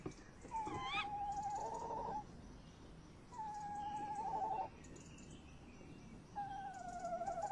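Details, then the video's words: Tawny owls heard for a long time outside a camera nest box on a May night in 2015, male and female nearby; curling rising squeal, then three drawn-out quavering trills about every three seconds. "Bosuil M in de kast V buiten uilen lang te horen"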